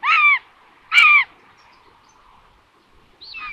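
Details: Common buzzard at its Hungarian nest in Tiszalök in June, calling during food delivery: two loud, harsh downslurred mews close together, then a softer third after a pause.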